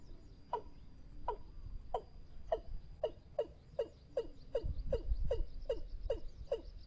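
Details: Watercock call used as a trapping lure: short downward-sliding hollow notes repeated steadily, about two or three per second, over low rumbling background noise and a faint steady high electronic tone.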